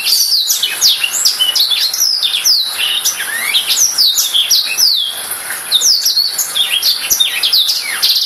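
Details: Rapid, unbroken warble from a Black-throated canary: high chirps and downslurred whistles run together in a busy stream, with a few lower slurred notes mixed in around the middle.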